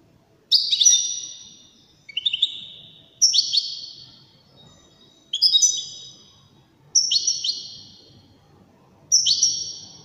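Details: Wedani goldfinch performing an elegant song: six ringing phrases spaced one to two seconds apart, each starting with crisp chirps and gliding into a bright, fading high whistle. Some phrases sit lower, some higher.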